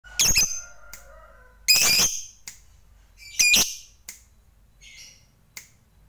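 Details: Fighter lovebird, used to provoke other lovebirds into singing, giving a few harsh, broad squawks spaced one to two seconds apart, with short thin whistles and quieter chips between them.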